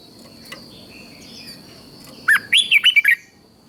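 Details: Red-whiskered bulbul in Thailand singing southern master-style song, used to excite other cage bulbuls: after a faint clicking lead-in, one quick phrase of a low note and several bright whistles, over a steady high tone.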